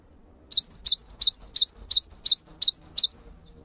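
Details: A gelatik batu, or cinereous tit, delivers nine quick identical phrases in about two and a half seconds. Each is a dipping note and a high whistle, ending abruptly into quiet.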